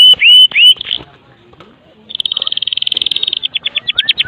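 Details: Song of a Medan-type white-rumped shama, kretekan style with many filler phrases, played to coax other shamas to sing; loud looping whistles, a short pause, then a long, very rapid high trill breaking into separate descending notes.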